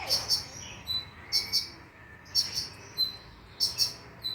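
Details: Brown-throated sunbird lure sound used by bird keepers to get the bird singing at night: clusters of two or three very high, sharp chirps recur about once a second over a quiet background.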